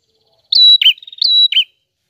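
A prinia gives two loud phrases, each a sustained high whistle followed by a lower buzzy chirp, repeated about three-quarters of a second apart, with nothing else heard.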